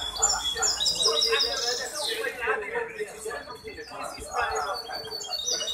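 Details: At a hybrid goldfinch singing contest run by the Ain Chock association, 23 May 2021, a bird pours out rapid high twittering notes and a descending slur. A constant background of crowd chatter runs underneath.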